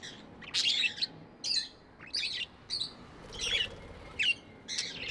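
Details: Budgies kept as pets give separate short bursts of bright, scratchy chirps and warbles, roughly every half second to second, in a small room.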